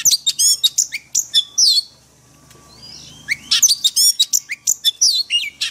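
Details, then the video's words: Caged white-rumped shama practising forest-style song: fast runs of high, clipped whistles and chips, a brief soft warble mid-clip, then another dense burst of sharp notes. "Luyện chòe than hót giọng rừng mỗi ngày"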